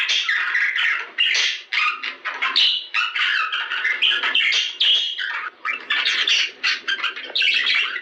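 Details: Budgerigars singing to encourage breeding, with a dense, continuous warble of rapid chirps, squawks and buzzy chatter, scarcely pausing across the whole stretch.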